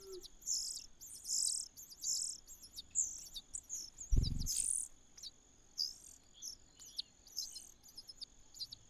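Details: Common cuckoo chick in a host nest begging with short, high, sizzling bursts that vary in length and come in quick succession. A single dull knock sounds midway.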